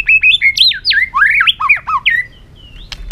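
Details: White-rumped shama in a cage, excited and singing to incite other birds to sing competitively: a fast rich warble of looping whistled notes rising and dropping, ending with a thin whistle and a click.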